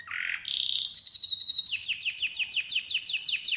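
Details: Canary chirping: a brief buzzy burst, a thin whistled note, then a fast, steady series of repeated sliding chip notes.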